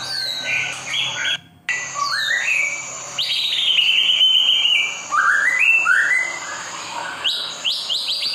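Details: White-rumped shama song intended to stimulate caged birds: a jumble of varied whistled phrases, rising sweeps and fast high flicks, with one brief drop-out early on and a faint low hum.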